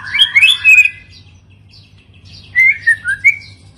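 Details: Song of a white-rumped shama: a quick tumbling burst of bright whistles, a pause, then a short series of clear down-slurred notes, with a soft hum behind.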